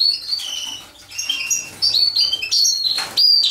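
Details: European goldfinch while mating: quick high twitters and liquid chirps, some sliding slightly in pitch, delivered in uneven bursts with short pauses and a sharp rustle partway through.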